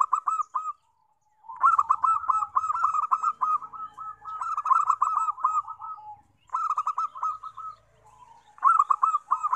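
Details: Zebra dove song used as a lure for wild doves: long, continuous run of rapid staccato cooing notes merging into rolling purred trills, with a brief gap near the start and a new phrase beginning near the end.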